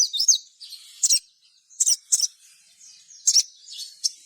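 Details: Sogon lure song meant to get other sogon singing: choppy doubled high chirps and short slurred notes over a thin continuous high hiss, repeated every half second or so.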